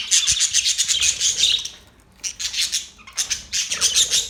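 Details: Australian parrots, October 10, 2023: rapid pulsed high chattering in three bursts separated by short quiet gaps, each burst a fast run of squeaky repeated notes.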